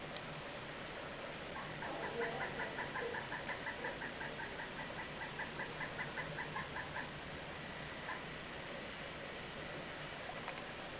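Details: A pileated woodpecker on a front porch in Baie-d'Urfé on 25 December 2010 gives a long, even series of loud, hollow kuk notes, about two or three per second, over a steady background hiss.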